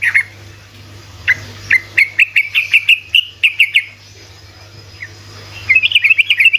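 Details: Sooty-headed bulbul in rapid 'ropelan' singing, used as a lure to prompt reluctant bulbuls to answer: bright, short whistled notes repeated in quick bursts, a pause, then a fast rising chatter, over a steady low hum.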